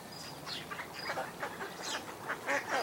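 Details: An American black duck × mallard hybrid at Port Colborne on 11 August 2022 gives a run of short, nasal quacks and chuckles in quick succession, with other faint duck calls and a thin whistle behind.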